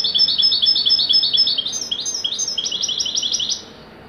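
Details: Sustained wedani-style song from a European goldfinch: three and a half seconds of fast, jangling, high twittering notes, shifting slightly higher midway before stopping abruptly.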